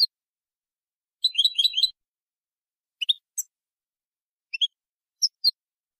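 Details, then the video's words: Goldfinch song in copia Malaga style, used in 2020 to train young birds: a burst of quick twittering, then scattered short sharp notes separated by clean silences. "تغريد حسون كوبيا مالقا لتلقين الفراخ ©chant copia malaga chardonneret"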